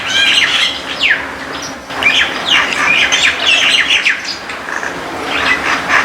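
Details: White-eared bulbul, also called white-cheeked or Iraqi bulbul, in a backyard: busy overlapping chirps and short slurred notes, some falling sharply, continuing throughout with no clear pauses, other small birds chirping alongside.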